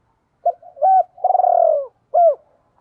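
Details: Decoy spotted dove cooing in the two-ending 'hai hậu' style: a short low hoot, a clipped double note, a long rolling buzzy coo falling in pitch, then a final arched hoot, all in a quiet setting.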